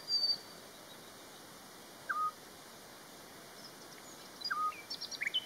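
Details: Calls of a Eurasian scops owl: two clean, short whistled hoots a couple of seconds apart in a quiet setting, with a few faint high chirps from other birds near the end.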